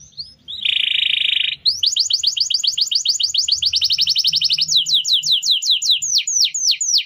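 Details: Canary master song for training other birds: a dense buzzy burst, then a long fast trill of repeated notes, finishing with falling whistled sweeps; faint low rumble beneath.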